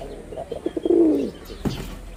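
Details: Male wild pigeon with red border markings, Bangladesh, performing: a series of short low pulses accelerates into one drawn-out falling coo, then a brief flutter-like burst.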